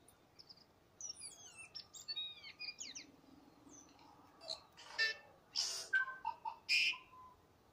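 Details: Tui in song at Waikouaiti, a run of high, sharply bending whistled notes followed by harsh, rasping bursts mixed with short tonal notes, all close and clear over faint background noise.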